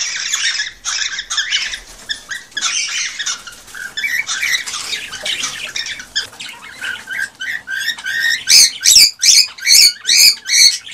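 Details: Excited male cockatiel singing to rouse a female to mate: raspy chatter at first, shifting to rhythmic, evenly spaced sharp whistled notes, roughly two or three per second.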